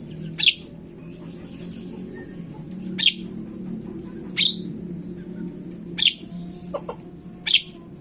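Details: Javan myna (jalak kebo) lure recording to set birds calling quickly: five sharp, harsh, hissing bursts at irregular one-and-a-half to two-and-a-half-second gaps, plus a few faint short notes and a steady low hum.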